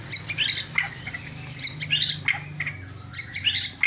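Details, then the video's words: White-rumped shama song noted for a bowing posture and rich filler-note bursts: varied bright chirps and slurred whistles in clustered phrases roughly every second, with short pauses between bursts and a faint low hum beneath. "MURAI BATU KAPTEN JRG || IDENTIK GAYA SUJUDNYA ,TEMBAKAN ISIANYA YANG MEWAH"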